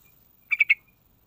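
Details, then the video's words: Sooty-headed bulbul phrase used as a lure to coax other birds into song: three fast, bubbly notes in under a third of a second, each slightly louder than the last, over faint low background hum. "Sekali Putar Langsung Nyaut Dengar Suara Trucukan Isian Istimewa"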